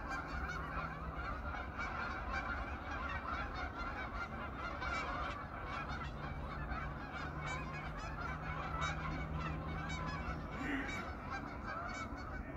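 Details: Hundreds of geese settled on a pond on an autumn evening, chattering and honking nonstop; the calls pile into a thick chorus, with a steady low drone running through much of the recording.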